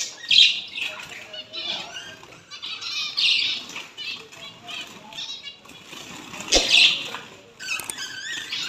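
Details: Female zebra finches, kept with white female finches, chatter with short, nasal, toy-trumpet beeps, several birds calling over one another.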